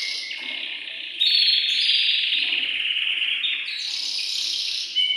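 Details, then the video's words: Excited male canary singing in its cage to stimulate the female to mate; a dense continuous rolling trill, with higher whistled notes layered over it. "تغريد ذكر كناري هائج يريد تكسير القفص يحفز الأنثي لتزاوج"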